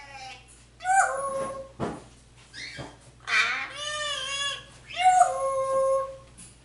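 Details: Pet African grey parrot speaking Spanish, calling for its owner and asking for turkey and chicken; loud, drawn-out voice-like syllables with rich harmonics in three main bursts, some falling in pitch.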